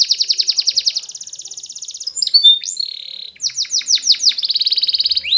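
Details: Spanish Timbrado canary singing for training: a rapid pulsing trill becomes a smoother roll, then a held tone, descending swoops and a bright metallic trill.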